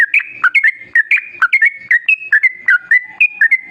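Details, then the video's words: Bright, steady bulbul song used as a lure for other yellow-vented bulbuls to start singing: short whistled notes that step up and down in pitch, delivered briskly and evenly for several seconds. "Masteran Kicau Burung Trucukan Gacor Dor Pancingan Pikat"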